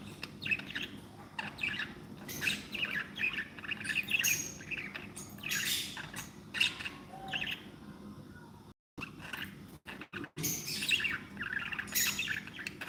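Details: A group of happy pet budgies produces running chirpy warbling and harsh squeaks in clustered bursts, pausing briefly near the end before the chatter resumes loudly.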